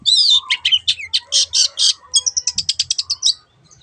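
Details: Long-tailed shrike in lively, energetic song in the "teot teot" style, used as a lure to get other birds singing: rapid runs of high, harsh chattering notes, speeding into a fast repeated stutter before stopping.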